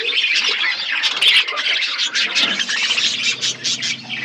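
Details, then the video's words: Several budgies feeding in an outdoor aviary keep up a continuous bright, scratchy chirping and warbling, many voices overlapping with no pauses, with a faint low hum underneath. "Budgies parakeet eating food in outdoor aviary birds chirping sound"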